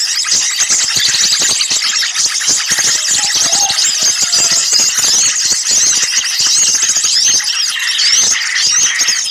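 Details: Small birds calling in a noisy lure recording used for catching birds: a constant shrill twittering chorus of many overlapping chirps, with dry ticking clicks and a few faint lower whistles.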